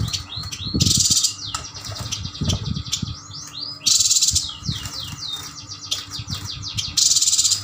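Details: Several caged yuhinas from Kalimantan, both sexes, bought together, sing strings of rapid falling chirps, interrupted about every three seconds by loud noisy bursts like fluttering wings, with low thumps from the cage.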